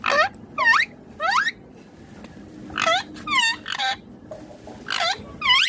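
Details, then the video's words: Green Indian ringneck parakeet talking: short loud speech-like bursts with sharply curving whistled harmonics, roughly eight phrases delivered in uneven pairs with brief quiet gaps, over a faint steady background hum. "Indian ringneck green parrot amazing talking"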